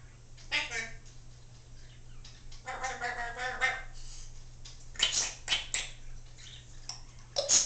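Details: Female Congo African grey parrot kept as a pet, talking indoors with phrases such as I love you, hi bird and step up; speech-like harmonic syllables with sharp high clicks, set against a low steady hum.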